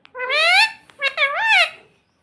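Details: Talking pet parrot that says mummy and papa, heard indoors giving two clear, nasal, word-like utterances, the first rising steadily, the second swooping up and down, separated by a short click.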